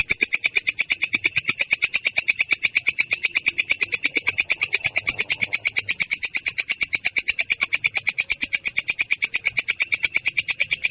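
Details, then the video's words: Long-tailed shrike giving a clear yet harsh rolling song: a fast, steady run of rough, buzzy notes, about two per second, sustained through the whole stretch without a break. "belalang kecek ngerol!!! suara jernih kasar"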